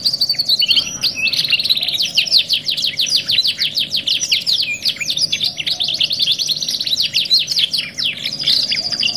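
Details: Canary song in a 2-in-1 training recording, a dense rapid series of trilled and buzzy notes sweeping high, with fast repeated rolls and chattering phrases running without pause throughout.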